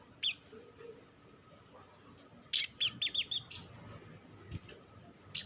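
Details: Sunbird lure call, olive-backed sunbird, meant to set other sunbirds singing: a lone high chip, then a quick cluster of sharp downslurred notes and a few scattered chips.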